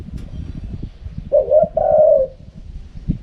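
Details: Spotted dove wild-style call: a single low phrase of a short, wavering coo followed by a longer, smooth, gently falling coo, with light background noise.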